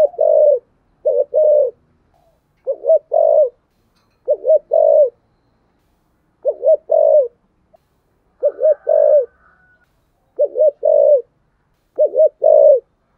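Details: Long run of spotted dove coos in the full 'giọng thổ sấm' style, ending in two notes; steady low phrases of a short note and a longer one repeated roughly every 1.5 seconds, in a quiet setting.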